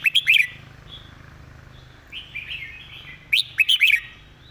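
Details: A caged red-whiskered bulbul sings bright, bubbly, clearly articulated whistled phrases in two bursts, with a few softer rising notes between them; a faint low hum runs underneath.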